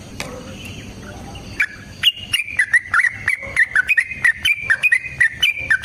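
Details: Yellow-vented bulbul (trucukan) in a long fighting song for luring other birds into song; after a quiet start, a steady run of short clear whistled notes follows, evenly spaced about three per second at one pitch.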